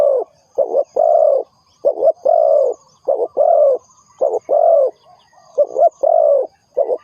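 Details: Spotted dove calling as a decoy for trapping: a rhythmic series of soft coos, each phrase a stuttered double note and a sustained croo, repeated roughly every second.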